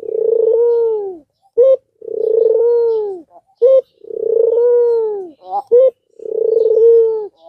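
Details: Albino Barbary dove whose call is used to stimulate other doves that are reluctant to call: low rolling coos, each about a second, roughly every two seconds, with short clipped notes between.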